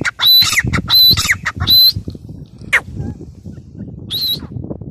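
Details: Three loud harsh notes from a grey francolin (teetar) in quick succession, then scattered softer notes and one more call near the end, with low rumbling background noise.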